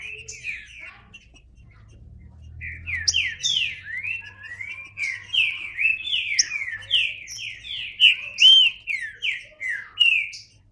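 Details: Green-winged saltator singing: after a soft start, a long rapid run of short slurred whistled notes, each sweeping down, about two per second and growing louder toward the end.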